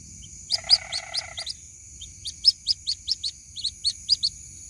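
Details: A white-breasted waterhen chick calls its mother. An opening burst of high peeps comes over a brief low buzzy rattle, followed after a pause by an even series of sharp upslurred peeps about every quarter second. A thin steady whine continues.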